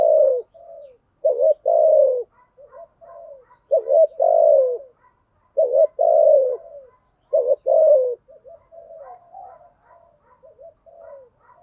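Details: Spotted dove giving repeated 'giọng thổ' coos: four loud two-note phrases in the first eight seconds, a quick note then a long falling hoot, trailing into faint soft murmuring coos, quiet setting.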